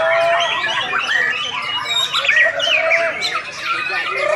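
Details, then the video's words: Singkawang champion competition white-rumped shama delivering a rich, busy medley of whistles, harsh squawky notes and quick twittering trills, rising and falling continuously over a short burst. "SUARA BURUNG | Aksi Murai Batu Juara"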